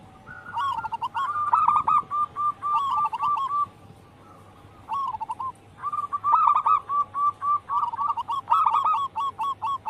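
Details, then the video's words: Local wild zebra dove singing actively, used as a lure to stimulate other doves: bursts of rapid, staccato, bubbling coos, each phrase a quick run of short notes ending in a drawn-out coo, with brief pauses between phrases. "Pancingan burung perkutut lokal alam gacor"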